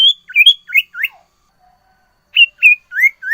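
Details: Sirtu in lively song packed with varied phrases, giving bright slurred whistles that rise and fall in quick bursts, a short pause, then more rising whistled notes.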